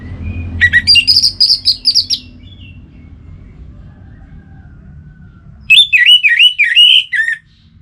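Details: Orange-headed thrush singing in a relaxed style: a buzzy, trilled high phrase, a pause of about three seconds, then a second run of loud, looping whistled notes that rise and fall. Low background hum throughout.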